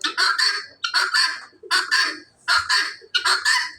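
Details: Free-ranging Helmeted guineafowl walking and feeding around a village homestead give harsh, grating, rattled calls, five bursts in under four seconds, each a rapid stutter of scratchy notes.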